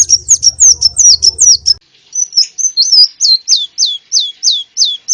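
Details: Konin bird, a sunbird, in a lure recording: a rapid run of sharp high twittering notes over a low buzzing hum, then a steady series of about ten downslurred whistles, each under half a second apart.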